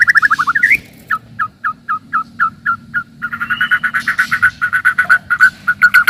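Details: White-rumped shama singing to stir up rivals: a quick falling trill, then a steady series of short mid-pitched notes that speeds into a dense rapid rattle-like run.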